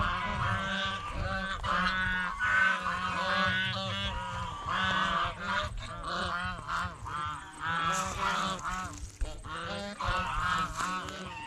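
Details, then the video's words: At a fish pond, geese feeding on bread and fresh vegetables keep up a long run of repeated harsh honks, many overlapping, with some splashing or clatter later on. "เสียงห่านร้อง ห่านกินขนมปังกับผักสดในบ่อปลาอย่างเอร็ดอร่อย | Goose Sound Effects"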